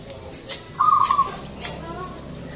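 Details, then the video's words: Local zebra dove in full song, with a big, long voice kept as a lure for other birds: one short burst of stuttering, throaty cooing notes, over quiet background hiss. "PERKUTUT LOKAL GACOR SUARA BESAR DAN PANJANG"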